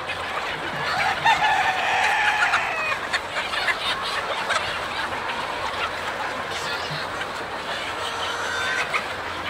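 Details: A crowd of chickens on a farm, one clear, drawn-out harmonic call rising and falling early on, then many softer overlapping clucks and a steady background roar of the flock.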